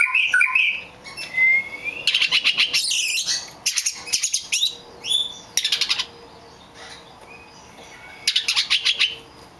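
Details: A rare all-black magpie-robin sings clear, rising whistles mixed with harsh, rapidly repeated buzzy bursts, in short phrases separated by pauses, with music in the background.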